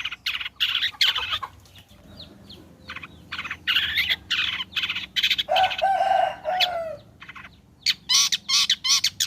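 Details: Long-tailed shrike (cendet) in a fluent song burst, played as a lure to make shrikes sing: dense run of harsh, buzzy high notes, a drawn-out nasal harmonic call in the middle, ending in rapid chips.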